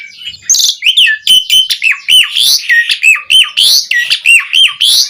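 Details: Jalak suren, the Asian pied starling, sings a master song for training caged birds: a fast, continuous string of loud chattering and whistled notes, each bending up then down, about ten per two seconds.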